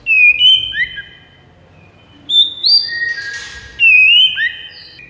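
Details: Song of a white-rumped shama, meant to lure rival shamas: high, pure whistled phrases repeated in three bursts with silent gaps, one brief harsh rasp mixed in, and a faint low hum underneath.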